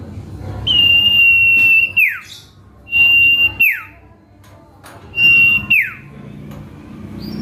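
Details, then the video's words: Common iora singing as a lure meant to draw a response from rivals: three drawn-out level whistles, each dropping sharply at the end, spaced roughly two seconds apart, with faint low background hum. "Bongkar Isian Cipoh Kacat | Cipeuw Gacor Pikat Lawan | Pancingan Cito Mandek"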